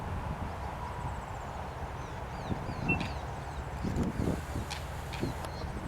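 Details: Little Grassbird in reeds around a lake at Karkarook Park, Heatherton, suburban Melbourne, Victoria, Australia, with a call likened to a reversing truck. Thin, high whistled notes, some bending up and down, with one sharp note midway, over a steady low rumble and scattered knocks.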